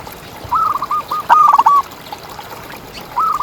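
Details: Local contest-type zebra dove used as a tutor to stimulate mating mood. It gives a soft rolling phrase, then a louder stuttering coo, and the start of another phrase at the end.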